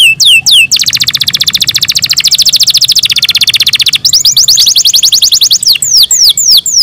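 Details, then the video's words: Canary in captivity singing in the morning: a few down-slurred whistles open a long, rapid, buzzy trill, followed by a quicker rolling trill and more falling sweeps. "MORNING SONGS OF CANARIES IN THE MORNING"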